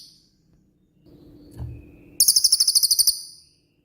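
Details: Cililin 'tembakan' song, a master for training songbirds: after a faint low hum, a loud very high trill of about twelve rapid evenly spaced notes fades away.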